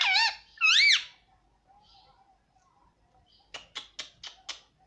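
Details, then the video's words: Pet rose-ringed parakeet mimicking speech indoors, known for saying mummy papa; two loud rising-falling harmonic syllables, then a pause and five short raspy clicks evenly spaced about a quarter second apart. "मम्मी पापा बोलने वाला मिट्टू || ringnack parrot talking mithu"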